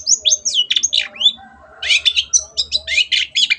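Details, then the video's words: Long-tailed shrike in lively chattering song, recorded as a training tape for kept birds: rapid high scratchy notes, sharp whistled slurs and buzzy trills run in dense bursts, with a brief pause in the middle, then renewed harsh chatter. "MASTERAN BURUNG CENDET GACOR"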